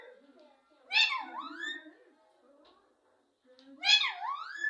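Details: Talkative pet parrot in a small room: two loud, harmonically rich voice-like phrases with swooping inflections about three seconds apart, with softer low murmurs between them.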